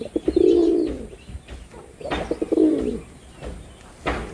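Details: Two deep, rolling coos about two seconds apart from a performing male red-bordered wild pigeon, each preceded by quick clicks, with a sharp knock near the end.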